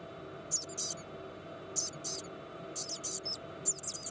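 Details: A white-bellied caique chick, hatched at 3 a.m. after a night of egg-checking and hand-feeding, gives lively "pi-pi" calls: thin, raspy, very high squeaks in pairs, about once a second, over a faint indoor hum.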